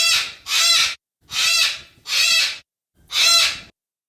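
A yellow-crested cockatoo gives harsh, grating screeches, about five loud bursts in four seconds, each roughly half a second long, with no other sounds.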